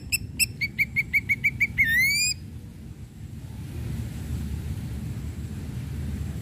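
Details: A lure song from an Ashy Drongo, used to push other drongos into singing: a rapid run of seven or eight evenly spaced short notes ending in one bright, rising, harmonic whistle, then only a low hum.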